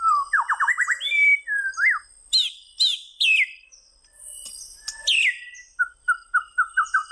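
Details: Varied white-rumped shama song: a quick series of upslurred notes, sharp high downward sweeps, then a steady run of short, evenly repeated whistled notes.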